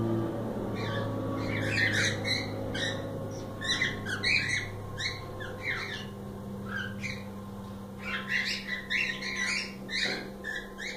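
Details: Cockatiels squawking in rapid, scratchy bursts, roughly two calls per second at times, several voices overlapping, over a constant low electrical hum and faint indoor background noise.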